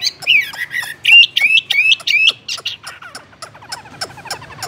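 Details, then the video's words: Caged Chinese hwamei singing: loud, rich whistled phrases that swoop and wobble in quick succession, then fade into a run of dry clicking ticks. "Làm thế nào để nuôi được chú họa mi hót như này"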